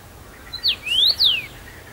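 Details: Common rosefinch, a first-summer male singing abundantly from a favourite branch at Bazel, Belgium, on 7 June 2015; a loud, clear phrase of three slurred whistles, a short rising note, then a rising and a falling glide.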